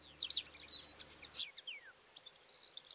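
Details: Calandra lark song: rapid twittering notes and descending whistled slurs, with a short quieter gap before a final burst of chirps.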